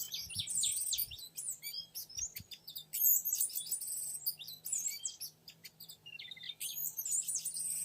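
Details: Wild young male oriental magpie-robin in forest, lured: busy, overlapping high whistles and chatter with sharp clicks and a few low thumps, pausing briefly before resuming rich varied phrases.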